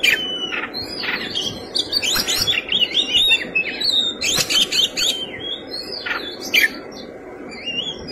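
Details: Oriental magpie-robin delivering a rich, lively fighting song: clear whistles, rising slurs and scratchy chatter come in quick phrases for about seven seconds, with short gaps and a quieter closing whistle.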